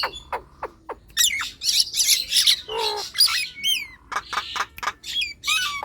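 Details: Nias hill myna singing, played to get lazy birds going: sharp clicks and noisy squawk bursts, with a few short rising and falling whistles scattered through.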